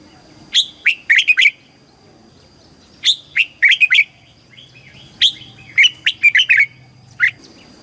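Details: Red-whiskered bulbul repeating a southern master-pattern song for exciting caged birds and teaching chicks; clear, warbled whistles in tight bursts of four or five notes, each phrase followed by a short silence, faint low hum beneath.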